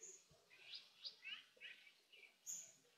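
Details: Azure-winged magpie, a resident bird of Korea, while raising its young: faint, short, chirpy calls repeated irregularly, some rising and some falling, over quiet background noise.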